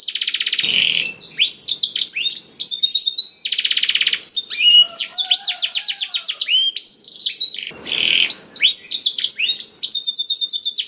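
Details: Black-throated canary song played as a lure for other canaries: harsh buzzy rattles alternating with rapid trills and upward-flicked whistles in a long, densely packed, energetic sequence.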